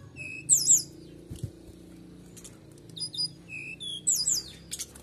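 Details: Canary singing to provoke other birds: brief high trilled phrases and chips in two bursts, separated by quieter pauses over a low hum.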